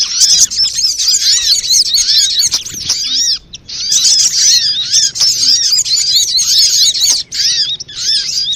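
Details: Sunbird lure call used to attract birds and prompt singing: thick, continuous chatter of high, bouncing chirps, pausing briefly around three and a half seconds before resuming just as densely.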